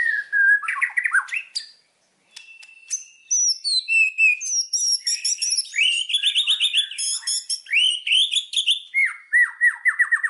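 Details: Indonesian white-rumped shama in full song: clear whistles and falling slurs, a short pause, then a long varied run of warbled phrases, rapid trills and quick chirping notes at shifting pitches.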